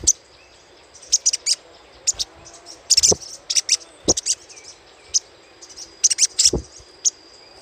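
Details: Chattering of a little spiderhunter used as a lure recording: sharp, very high chip notes fired in quick clusters of two to four, scattered irregularly through several seconds, with a faint steady high hum behind.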